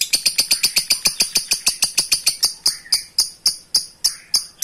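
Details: Lovebird ngekek chatter aimed at a rival, harsh high notes starting quick and gradually slowing into evenly spaced separate chips.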